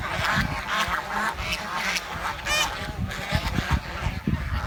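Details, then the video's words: Village swan calling in short, harsh, nasal honks that follow one another rapidly, one rising whistled note near the middle, over low rumbling and thumping noise. "The Chirping Sound of The Village Swan"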